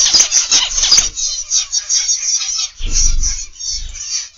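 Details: Zebra finches in an aviary in the morning fill the air with dense, high, squeaky chatter and nasal beeps, busiest in the first second, with a few low thumps of wings or movement.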